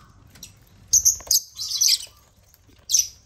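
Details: African lovebirds at a millet crane make a loud, screechy burst of chattering calls lasting about a second, a short pause, then one final piercing chirp.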